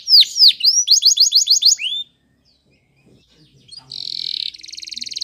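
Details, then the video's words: Spanish Timbrado canary training song: fast descending sweeps, then a quick regular trill of about seven notes, a pause, and a dense buzzy rolled trill to finish. "The Best Canary's Training song"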